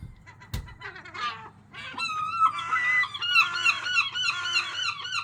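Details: Gulls calling very loudly with strange sounds, starting with a thud, then a burst of rapid harsh chattering, followed by overlapping nasal, wailing yelps from several birds in fast succession.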